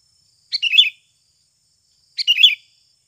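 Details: Sooty-headed bulbul, natural lure call for stimulating birds to sing: two identical chattering, bubbling phrases about 1.7 seconds apart, each under half a second, otherwise quiet.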